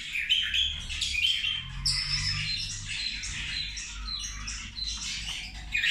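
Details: A flock of zebra finches calling while they feed: steady overlapping nasal toots and short squeaky chirps, with a sharp louder note near the second mark and again at the end, low hum beneath.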